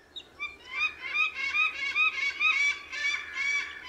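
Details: Harsh, honking yelps from a white-tailed eagle, rough and full-toned, repeated quickly in an uneven string of about a dozen notes, with a faint low hum beneath.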